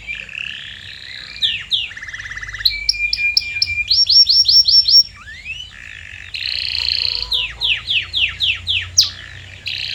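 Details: Canary singing a training lure for silent birds: changing tours of buzzy rattles, clipped repeated notes, a rising whistle, then after a short pause a buzzy phrase and falling swept notes.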